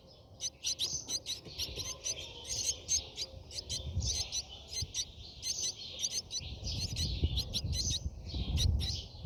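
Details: Brahminy starling at its nest, seen from inside: quick, thin, high chirps in clusters, several per second, running through the whole stretch over a low rumbling background.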